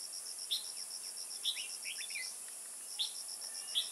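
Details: Red-whiskered bulbul at a Kim Bôi trapping spot, 21 May 2018: single sharp chirps spaced about a second apart and one short run of slurred notes, set against rhythmic insect pulses.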